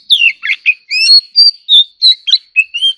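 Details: White-rumped shama in competitive singing: a rapid run of clear whistled phrases, some sliding down, others rising or looping, about ten notes in three seconds, with a steady high faint tone underneath.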